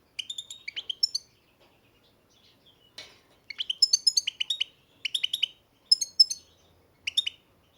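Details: European goldfinch from a breeder's birds, giving short clusters of high, bright tinkling notes in several separate bursts with brief silences between them.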